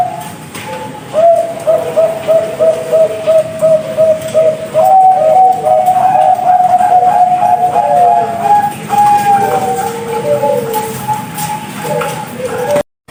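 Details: Captive zebra dove of Bangkok type, bred on a farm in Jepara, Central Java, noted for a big voice; clear mellow coos, a rapid string of short even notes followed by sustained wavering tones, repeated phrases over steady background hiss.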